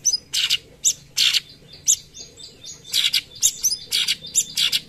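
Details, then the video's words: Cucak cungkok in full "tembakan" song for tutoring other birds: rough buzzy bursts separated by brief whistled slurs, the phrase quickening into a dense chatter toward the end. "Masteran tembakan cucak cungkok gacor"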